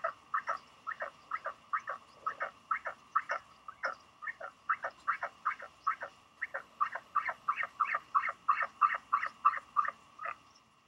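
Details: Wary Northern royal albatross chick at Taiaroa Head, Dunedin, New Zealand, March 2020, unsure whether a visiting adult is its parent; a long fast series of clipped, croaking pulses, about three per second, steady and insistent, with a constant background hum.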